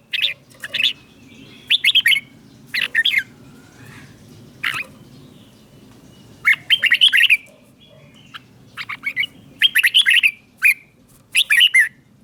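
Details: Thai red-whiskered bulbul song in southern style, played to stimulate caged birds; clusters of bright chattering notes spaced by pauses of one to two seconds, with a low continuous hum underneath.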